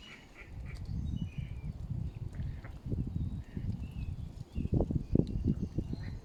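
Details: Mallards with grown ducklings at Smithpool, Stoke-on-Trent, July 10 2022, give low, muffled quacks and soft chuckling notes in quick bursts, loudest near the end, over a steady low rumble.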